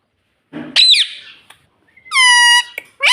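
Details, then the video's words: Pet parrot saying "mummy": a rough, noisy call sweeping upward, then a steady nasal harmonic tone held about half a second, and a final rising squawk. "Parrot Talking Mummy Mummy"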